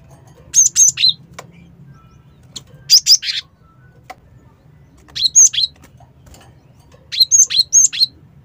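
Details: High, clipped chirps of a cinereous tit, played to draw birds in, come in four short groups of two or three notes about every two seconds, over a soft low background hum.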